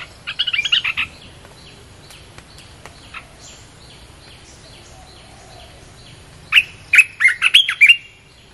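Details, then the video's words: Red-whiskered bulbul song used as a lure for wild birds: a short burst of whistled notes, then near-quiet with faint distant chirps, then a lively run of six or seven sharp whistled notes. "เสียงนกกรงตาแดงEp.252 เปิดล่อนกป่า"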